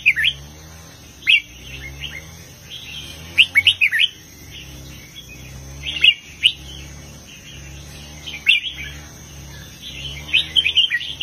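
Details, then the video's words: Southern master-style song from a red-whiskered bulbul, heavy phrasing: scattered bursts of sharp, chirpy warbled notes every couple of seconds, interspersed with quieter stretches and a persistent low hum. "นกกรงหัวจุกร้องริกเพลงแม่บทใต้ ลำหนักๆ"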